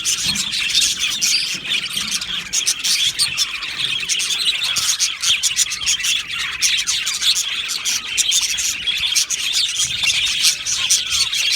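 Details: Aviary full of budgerigars singing and chirping, a constant high chorus of sharp ticking chirps, rapid twitters and scratchy warbles.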